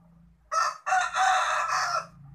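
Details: A domestic rooster crows once, a loud harsh cock-a-doodle-doo of about one and a half seconds, with a short opening note, then a long strained middle and a falling end.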